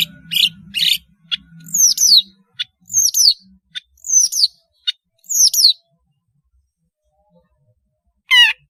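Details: Long-tailed shrike in lively song, used to tutor young birds learning to sing: a quick series of harsh, buzzy notes and sharp descending whistled slurs, repeated in bursts over about six seconds, then a pause and a final rasping burst; faint low hum beneath.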